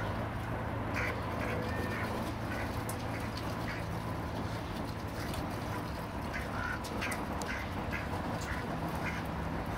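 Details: Fighting ducks captured with a Panasonic SD9 HD camera give scattered, clipped nasal quacks, some in quick pairs, against a constant low droning hum and diffuse background noise.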